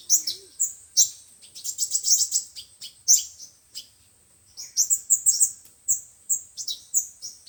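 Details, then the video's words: Sunbirds, described as five-colour and seven-colour types, in a recording used as speaker playback to lure wild birds into traps: rapid high thin chirps and sharp twittering notes in dense bursts, with brief pauses between phrases. "Tiếng chim hút mật 5 màu và 7 màu dùng để bẩy loa"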